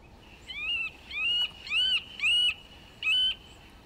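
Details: Eurasian nuthatch, a common songbird of forests, parks and gardens, gives five loud, clear, whistled notes, each rising then levelling off. They come in a loose series about half a second to a second apart over a faint, steady background hiss.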